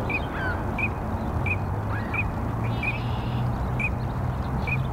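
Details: Male Green-winged teal at North Pond Nature Sanctuary, Chicago, Illinois, on 3-12-2021, where it stayed for a couple of weeks. Short clear whistled notes repeat about every 0.7 seconds over a steady low rumble of city noise.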